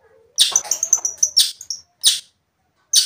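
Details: Long-tailed shrike singing as a provocation lure: a rapid sequence of harsh rasping notes and high whistled slurs, followed by two isolated loud scratchy bursts after a short gap.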